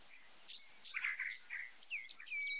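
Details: White-browed meadowlark (Leistes superciliaris) singing a short, scratchy phrase of buzzy notes, ending in clear rising-then-falling whistled slurs, over faint background hiss.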